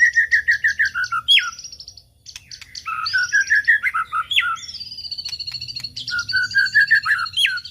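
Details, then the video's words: White-rumped shama song meant to lure other birds: fast repeated whistled trills, sharp upward-sweeping notes and a long sustained high whistle, varied phrases in quick succession. "pancingan murai batu"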